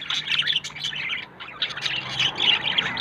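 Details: Pair of budgerigars, yellow male and blue female, pairing up and looking for a nest; dense buzzy warbling chatter with rapid squeaky chirps, continuous throughout.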